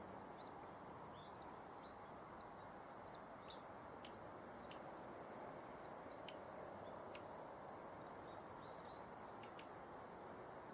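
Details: Female Daurian redstart active in the morning at Yanagishima Beach, Japan, 19 November 2021, filmed on a Nikon COOLPIX P1000: thin high whistled notes repeated roughly every second, with short clicking ticks mixed in, over steady low rumbling background noise.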